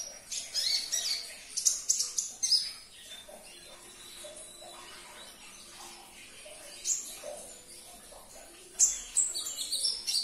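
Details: Sunbird song used to stir a stalled caged konin into answering: bursts of very high twittering and squeaky chirps at the start, a quieter middle stretch, then a renewed rush of sharp high notes.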